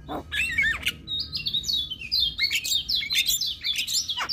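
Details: Lure recording of Javan myna song for caged mynas that are silent, stressed or moulting: looping whistled notes sliding up and down, interwoven with scratchy chatter and short squeaks, steady and high-pitched throughout.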